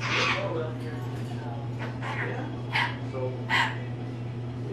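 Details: Female pet rainbow lorikeet speaking learned words in a soft, voice-like murmur of several syllables, ending in two sharper bursts, with a constant low hum underneath.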